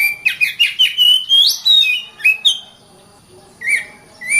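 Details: Oriental magpie-robin, called kacer, singing densely for training contest birds: quick clipped whistled notes rising step by step to a high slur, a few separate whistles, a silent gap, then two short fluty notes.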